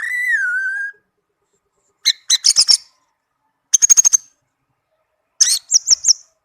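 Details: Tame captive orange-headed thrush opens with a clear falling whistle, then delivers three separate bursts of rapid high chirping notes with silent pauses between them.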